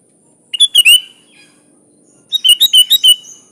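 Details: Sooty-headed bulbul song with a three-note liquid phrase, then after a short pause a longer run of five or six quick, even whistled notes. Background is quiet.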